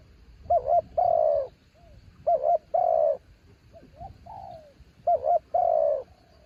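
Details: Decoy spotted dove from the mountains gives repeated two-part coos, a wavering short note followed by a long descending tone, roughly every two seconds, with a few quieter slurred coos between.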